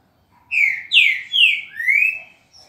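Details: Green-winged saltator, the true trinca-ferro, sings one loud whistled phrase of four slurred notes, the first ones falling and the last rising at the end, in a clean recording with no other sounds.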